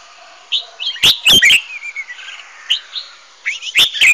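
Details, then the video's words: Red-whiskered bulbuls in competitive singing, used as decoy sounds to train birds and stimulate singing: loud clipped whistled notes and a warbled, slurred phrase, then renewed sharp high notes. "Chào mào hót đấu làm những tiếng chim mồi hay nhất"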